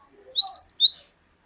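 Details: Glatik batu, the cinereous tit, gives a single high, clear phrase of three linked whistled notes, the middle one flat and drawn out, from a lure recording meant to make captive birds sing.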